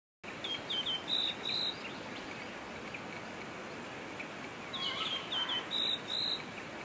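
Pink robin singing two short phrases of high, thin whistled notes, each ending in a longer sustained note, over a steady hiss of background noise.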